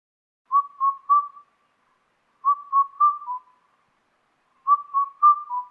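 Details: Indian cuckoo in the Biligiri Rangana Hills, India, gives three mellow, whistled four-note phrases, the last note dropping lower, repeated about every two seconds against a quiet background.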